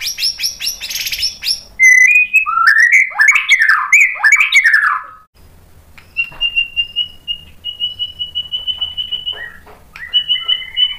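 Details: White-rumped shama song played to provoke another bird: a rough buzzy burst, then a tumble of rising and falling whistles, followed by long, steady high whistles with short breaks.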